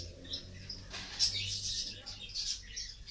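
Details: African grey parrot in a pet store giving a series of short, high, squeaky chirps and whistled notes, bunched in quick bursts over a few seconds, with a low hum in the background.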